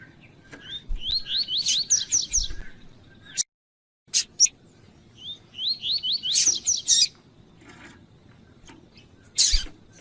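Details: Female double-collared seedeater, called coleiro tuí-tuí, calling to excite the male: two bursts of quick, repeated rising slurred whistles, each note sweeping upward. Loud sharp clicks and knocks break in between, and a brief silent gap follows the first burst.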